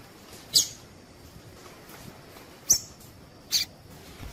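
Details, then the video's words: Female Double-collared seedeater calls intended to prompt males to sing: three short, shrill, high chips spread over a few seconds, with a faint hiss between them. "Piado de fêmea coleiro tui tui"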